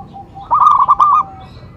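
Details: Single short phrase from a local Zebra dove lure call: five or six quick, bubbly coo notes run together into a rolling trill. It is preceded and followed by a faint steady tone.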